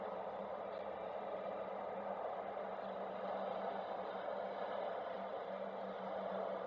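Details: Steady low rumble of outdoor ambience and distant traffic with a faint hum, no animal voice present.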